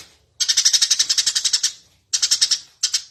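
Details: Eurasian tree sparrow in lively, constant song for bird-training master use. A long run of quick, bright, high-pitched chirps is followed by two shorter chattering bursts, with clean silence between them.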